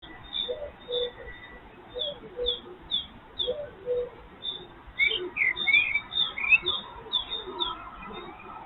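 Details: ['Common cuckoo, first heard of the year in spring at breakfast time: low, paired hooting notes repeated through the recording, under frequent high thin chirps from other birds.']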